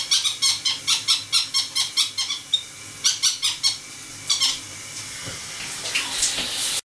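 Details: Pet conures, four birds, calling in a shower with water stimulating them: a long run of rapid shrill squeaks, a few scattered chirps, then rising hiss of spraying water at the end.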